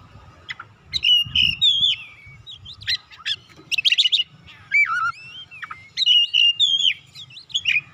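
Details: Oriental magpie-robin calling to rouse other birds into song: fast, mixed phrases of sliding whistles, rapid chirp trills and a low falling whistle, repeated in lively bursts over a steady faint hum.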